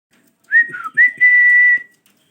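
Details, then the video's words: Pet parrot giving a short whistled phrase: two brief warbling notes, then one long steady clear whistle of about a second. A faint low murmur sits underneath, and a spoken phrase follows. "My Favorite parrots Talking amazing sounds different voices of parrots"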